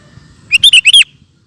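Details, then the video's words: Sooty-headed bulbul singing a single rapid phrase of about four liquid, warbled notes, the final one sliding down. A lively (gacor) recording used for training cage birds. A faint low hum sits underneath. "Suara Burung Kutilang Gacor Cocok Untuk Masteran"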